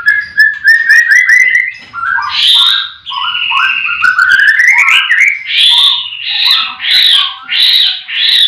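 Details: At a breeding farm for white-rumped shamas, in the morning, with every bird singing. Quick chirpy notes give way to rich rolling whistles, then loud buzzy bursts repeated about once a second near the end.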